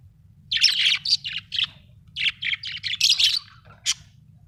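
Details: Chirping budgie, an Australian parrot, giving a string of rasping, warbled chirps in two loose bursts, ending with a single sharp high note, with a quiet low hum underneath.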